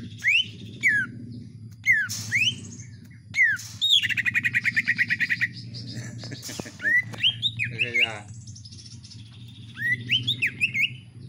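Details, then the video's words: Home-kept greater green leafbird giving a vigorous song with iora-style notes: sharp upslurred whistles, a fast rattling trill around four seconds, and scattered chirps between pauses, with a constant low hum behind. "CUKAK IJO X CIPOH GACOR PARAH"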